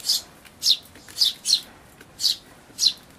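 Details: Eurasian tree sparrow chick begging as a parent, possibly a very old bird with an enlarged black throat patch, feeds it at a feeder in May 2013; shrill high chirps repeated about every half second, six in all.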